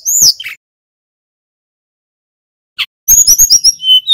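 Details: Snowy-browed flycatcher used as a song lure for other birds: one high slurred note, a long silence, then a quick run of sharp chirps ending in a thin level whistle.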